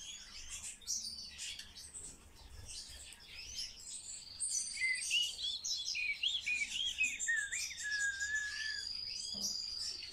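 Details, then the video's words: Common starling being trained to talk sings a rapid jumble of clicks, chatter and looping whistles, growing louder halfway through, with a long level high whistle and a falling whistled phrase. "Обучение скворца разговору"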